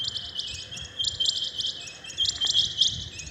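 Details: Rain quail calling early in the morning: sharp, high, paired metallic notes repeated in bursts about once a second, with a low rumble of background noise underneath.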